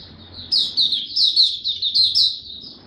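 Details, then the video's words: Young caged white-eye, of the Dagger type, recorded in Singapore on 9 February 2022 while maturing its song: brief burst of loud, quick, high twittering notes following a faint start. "Mata Puteh Dagger Video 1 buka sing tiong aw studying his progress n maturing"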